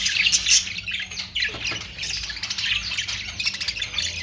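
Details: Budgerigar calls from a pet bird: dense, scratchy chirps and squawks chattering continuously, with a few sharper notes.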